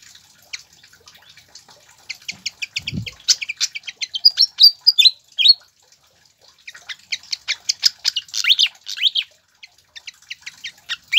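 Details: Pied fantail song used as a lure and tutor recording to get captive birds singing: bursts of high, squeaky chirps and quick upswept whistled notes, a busier phrase midway, a dull low thump near the start.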